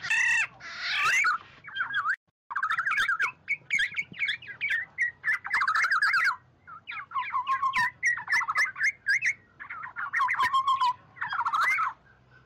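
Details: An oriole, in a recording meant to call in a flock, gives bursts of loud, fluty and harsh chattering calls that rise and fall, repeated almost without pause for twelve seconds.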